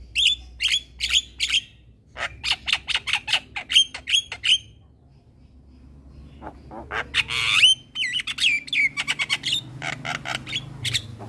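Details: Young male Javan myna, a caged bird singing diligently while bobbing its head, used as a master recording for training. Harsh squawks and rasps, then short bright whistled notes repeated about every half second, a quiet pause, then a louder burst of squawks and chirps.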